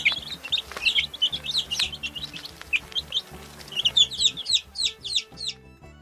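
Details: Several chicken chicks peeping in a dense burst of high, falling notes, then a clearer series of separate peeps near the end, with low rhythmic music throughout.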